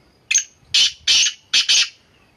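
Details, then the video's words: Black francolin calling: a grating phrase of five harsh, scratchy notes, one short note followed by two paired bursts, each rasping and broad, with brief silent gaps and no other sounds. "kala teteer voice"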